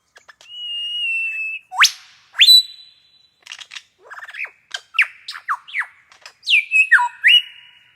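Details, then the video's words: Superb lyrebird, a mimic, singing in a cold winter forest in the morning: a loud, varied run of a long steady whistle, sharp whip-crack upsweeps, clicking trills and ringing downward notes in quick succession. "Lyrebird Calls Echo in Winter Forest"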